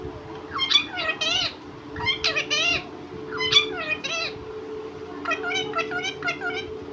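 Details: Pet talking parrot, known for saying mummy papa, utters four clear speech-like phrases of rich, wavering harmonic syllables about every one and a half seconds, over a steady low hum.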